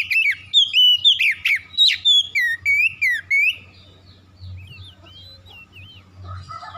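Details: Oriental magpie-robin singing, played to provoke aggressive singing in other birds: rapid loud whistles and swooping slurred notes for about three seconds, then fainter warbled phrases in the background over a low hum.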